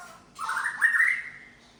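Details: White-rumped shama of the Medan type, a kept songbird showing its imitated repertoire: a single loud, rich, slurred warble that rises and then fades out.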